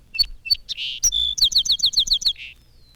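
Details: Song Sparrow piping from roadside bushes in spring, a burry song delivered with enthusiasm: a few separate introductory notes and a buzzy note, then a fast run of about eight rapid repeated chips ending in a short burr.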